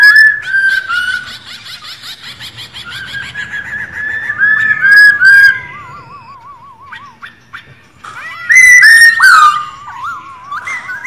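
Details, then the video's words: Female white-cheeked laughingthrush rò calling to stir male birds into song: varied whistled phrases, a long quavering wavy whistle, a pause, then loud harsh-edged whistles and more wavering notes. "KHƯỚU MÁI RO QUÁ ĐỈNH. Kích Trống Hót Căng Hót Hay | KHƯỚU MÁI Rò rò nghe là hót"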